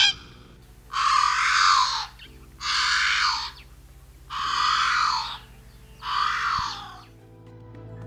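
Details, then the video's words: A Hawaiian crow, a species extinct in the wild and surviving only in captivity, gives four loud, harsh, drawn-out caws, each about a second long, every couple of seconds, over a soft musical drone. "Estos son algunos de los sonidos del cuervo hawaiano."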